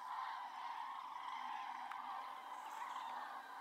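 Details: A large gathering of common cranes in Spain, massing before leaving the Iberian Peninsula at winter's end, fills the air with a continuous chorus of overlapping, rolling trumpet calls, with no single bird standing out.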